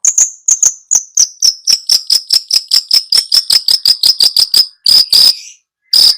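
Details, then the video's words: Long-tailed shrike training song for a bird that will not sing: a long rapid series of thin, high ticking notes, steady and slightly falling, about four per second, ending in two loud harsh bursts. "Masteran Cendet Males bunyi"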